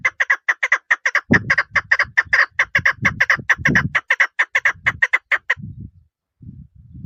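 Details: A female chukar partridge gives a rapid, continuous chain of loud, clipped chuk notes for over five seconds, with deep rumbling thumps underneath and low noise at the end.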